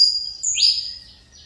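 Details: Saffron Finch, Mineirinho style, kept in a breeding aviary and recovering its song after almost two years of feather trouble, gives one long buzzy note that rises sharply and then holds steady before fading, in a quiet setting.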